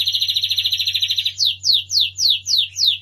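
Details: Lancashire canary from England, master song for training young canaries: a rapid buzzy trill for over a second, then a series of clear descending whistled sweeps about four per second, with a low steady hum beneath.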